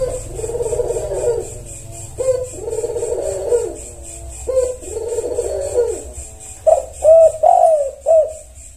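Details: Spotted dove coo song meant to provoke responses: three long, muffled low coos each opened by a short upward note, ending in four clear arched coos, with steady high pulsing throughout.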